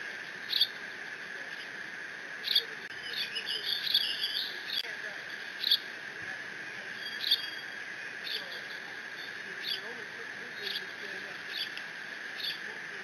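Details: Eaglet of bald eagles at Decorah, filmed by live nest cam on June 30, 2017, squeeing while mantling a fish brought by Dad. Scattered high chirps, a warbling burst midway, then sparse single notes over constant hum.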